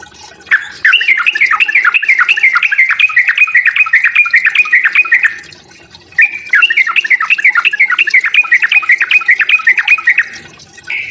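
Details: Sooty-headed bulbul giving its provoking fighting song: two long, rapid, chattering strings of harsh slurred notes lasting several seconds each, separated by a short pause.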